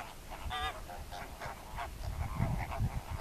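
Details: Greater flamingos calling: repeated nasal, goose-like honks in irregular rapid series, one louder warbling honk early on, over a low rumbling background.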